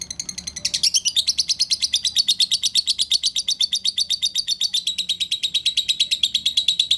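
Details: Lovebird giving a relaxed ngekek song, a long unbroken chatter of rapid, high, shrill pulsed notes repeated about three times a second, steady throughout, used to prompt silent lovebirds to sing.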